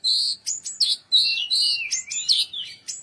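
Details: Bird chirping: a rapid run of loud, clear whistled notes, some held and some sweeping downward, in quick bursts over three seconds with brief gaps, no other sounds behind.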